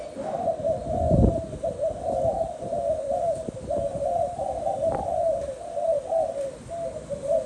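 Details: Spotted dove cooing: low, hollow hooting coos run almost without pause, overlapping in a steady rolling chain with slight rises and dips in pitch, plus a brief thump near the start.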